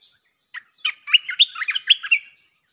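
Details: Red-whiskered bulbul singing in a recording used to attract wild birds, a burst of lively chirped and warbled notes run together in about one and a half seconds, clear and close with a silent background.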